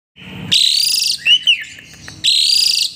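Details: Asian pied starling singing so vigorously that it pumps and bobs its head as if dancing: two long harsh buzzy bursts with whistled overtones frame a short rising-falling whistled arc and clicks. Faint low hum underneath.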